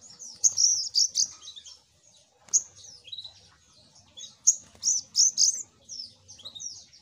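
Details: Little spiderhunter lure call: short, very high, thin chirps and downslurred squeaks in irregular bursts separated by brief pauses, with faint low background rumble.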